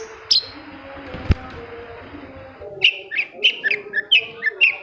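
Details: Long-tailed shrike song used to prompt silent shrikes into song: a couple of isolated sharp notes and a click, then a rhythmic string of mellow, slightly buzzy chirps repeated about twice a second.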